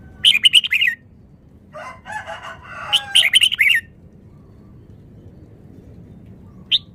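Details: Red-whiskered bulbul, said to be from Vietnam, giving fast melodious song: two loud rapid warbled phrases about three seconds apart, with soft lower buzzy notes before the second and a lone short note near the end.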